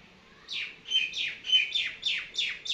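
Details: Common myna in summer, a mimicking bird, giving a fast series of harsh, buzzy, downward-sweeping notes, about seven in under three seconds, evenly spaced and loud against a quiet background.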